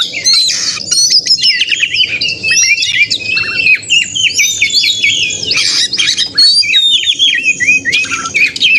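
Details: Oriental magpie-robin (kacer) in agitated fighting song, 'narung' style, used as bait to provoke other males into singing and tail-spreading; dense, loud run of sharp whistles, harsh squawks and rapid chattering notes, nearly continuous, with faint low background hum.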